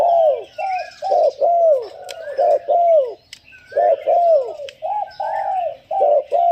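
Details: Decoy spotted dove delivering karom-style calling: a steady, fast series of deep, curved coo notes in close succession with brief gaps, with faint high chirps and a few sharp clicks from other birds behind.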